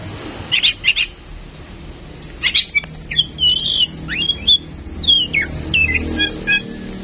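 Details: Tame female oriental magpie-robin, used to prompt other birds' singing, gives a few harsh chatters, then a flowing run of looping whistled notes and slurs over a low background hum.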